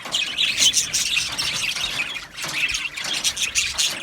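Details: Aviary colony of budgerigar parakeets from Australia producing steady high-pitched twittering and chirping, many voices overlapping, with a short dip in the chatter near the middle.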